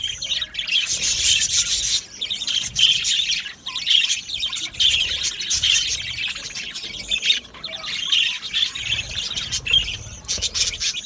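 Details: Budgerigar colony in an aviary, a busy wall of rapid chirps, raspy chatter and short squawks from many birds, pulsing in bursts with short dips between.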